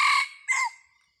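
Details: Closing part of a red junglefowl crow from a decoy rooster used to lure wild junglefowl, 30 October 2023: a loud raspy phrase fading, then a short final note sliding downward into silence.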